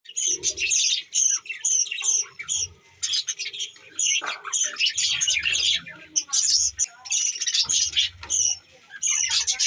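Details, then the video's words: Pet budgerigars recorded December 14, 2023, in a steady stream of scratchy, high chirps and warbling chatter. Squawky notes come in bursts separated by short pauses, with a faint low rumble underneath. "budgies Bueatiful Sounds"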